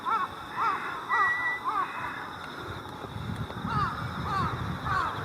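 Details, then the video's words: Mixed flock of Jungle Crows and Carrion Crows at a dusk preroost gathering on countryside electric cables, early October 2018 in Japan, calling to one another: harsh arched caws repeated in loose series, steady insect trilling and low rumble behind. "Preroost Gathering of Mixed Species Crows カラスの混群が田園地帯の電線に就塒前集合♪"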